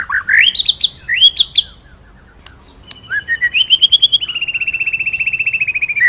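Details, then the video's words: White-rumped shama master song for training other birds: rising whistled slurs, then a long steady trill of rapid repeated notes slowly falling in pitch. "BURUNG MURAI MASTERAN NGEROLL NEMBAK"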